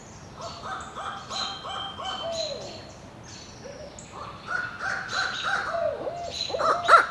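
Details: A pair of barred owls (Strix varia) calling and caterwauling: rapid hooting notes and wild cackling cries that rise and slide downward, building into a raucous, excited duet.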